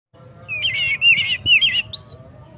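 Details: White-rumped shama (kacer) song used to provoke another kacer into singing and opening its tail: a short run of warbled, wavering whistled phrases, loud and clear over a faint low hum.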